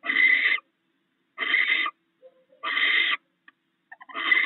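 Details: Barn owls sharing a meal of rats at their nest. Four harsh, hissing screeches come roughly every 1.3 seconds, with faint soft clicks and short notes in the gaps.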